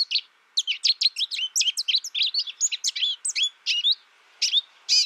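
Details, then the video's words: A captive young American goldfinch, raised in isolation with a tutor recording, sings a quick stream of high twittered and slurred notes, pausing briefly near the end before resuming. "My American Goldfinch sings a tutor calling birds, goldfinch excitation to sing,goldfinch chirping"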